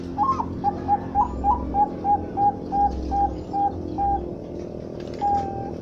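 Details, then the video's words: Perkutut bangkok (zebra dove), kept for trade: a rapid run of short clear cooing notes, a few higher flourishes at the start, then steady even notes about three per second, a pause, and one longer closing note over low steady hum. "Suara Burung Perkutut bangkok"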